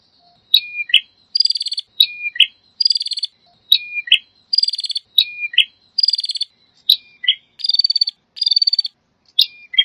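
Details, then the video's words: Continuous prinia song: a high note and falling whistle followed by a crisp buzzy trill, the phrase repeated six or seven times at a steady pace. "Suara burung prenjek"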